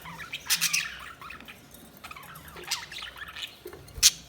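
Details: Budgerigars chirping: scattered short squawky chirps and warbles with sharp high notes, bursts around half a second and near the end, quieter chatter between.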